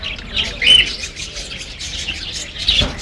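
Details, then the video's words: Baby parakeet chirping, captured on a mobile phone: continuous fizzy, scratchy high chatter with a brief thin whistled note early and another near the end, plus a low knock just before the close. "Baby parakeet uttering to make chirping sound"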